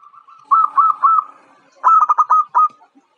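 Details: Local zebra dove, a young bird described as bold and fit for contests, gives a loud series of rapid, slightly stuttering purred coos in two bursts, the second broken into distinct pulses.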